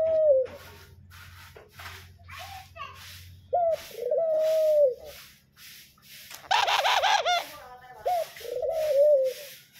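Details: Pet doves, five birds kept at home, calling back after their owner calls them: drawn-out hollow coos at the start, middle and end, with a human voice breaking in between.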